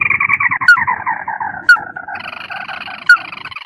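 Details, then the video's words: White-browed crake lure call for trapping: fast, nasal chattering notes in a dense descending run, then a second higher chatter begins, with three loud clicks spaced about a second apart. "Suara pikat tikusan Mata Merah || Ayam-Ayaman Sawah"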